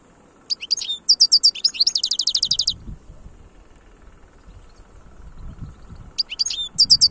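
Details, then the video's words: European goldfinch singing khlouwi style: a long series of high, crisp, evenly repeated twittering notes that speeds into a buzzy trill, pausing before resuming with more bright notes; low rumble underneath. "تغريد الحسون خلوي chont chardonneret"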